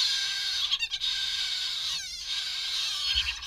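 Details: Two hand-reared chough chicks being fed a mid-morning snack give a continuous harsh, raspy chorus of high begging calls, broken by a few brief chattering notes.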